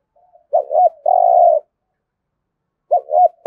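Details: Contest cooing (thúc gù) by a spotted dove in Đồng Nai, Vietnam, thổ voice: two short wavering notes and a long sustained coo, silence, then another pair of short notes.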